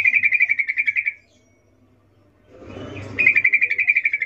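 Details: Female sooty-headed bulbul in breeding condition calling a male, a ngecuplik-style call: a fast rattling series of high, even chirps lasting about a second, a pause with soft low rustling, then the rapid chirp series resumes.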